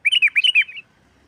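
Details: Sooty-headed bulbul in energetic song, meant to lure other bulbuls: a quick run of five loud bubbly whistled notes, then a softer fading tail.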